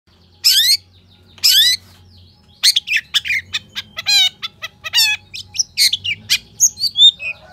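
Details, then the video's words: Long-tailed shrike (cendet), recorded as a lure and master recording for shrikes, gives two harsh, sweeping screeches, then a fast, varied run of high chips, rattling trills and buzzy phrases. "CENDET GACOR FULL ISIAN TEMBAKAN TAJAM"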